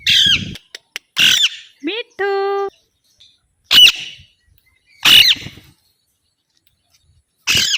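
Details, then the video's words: Alexandrine parakeet giving loud, harsh, raspy squawks in short bursts roughly every second, separated by silence, with a brief rising harmonic whistle and a steady tonal note partway through. "Alexandra Parrot Natural Sounds"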